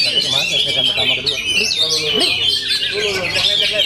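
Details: An Oriental magpie-robin pours out full-power song: quick, high, piercing whistles and scratchy trills without pause, with some deeper swooping notes underneath.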